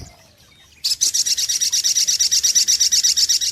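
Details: Brown-throated sunbird lure recording: after a quiet start, an abrupt high, rapid trill of buzzy notes repeated evenly, roughly three per second, over a faint low background hum.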